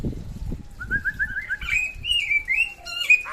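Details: Samyong from West Nusa Tenggara: a fast string of short whistled notes rising step by step into longer, steady high whistles, ending with a sharp dropping note.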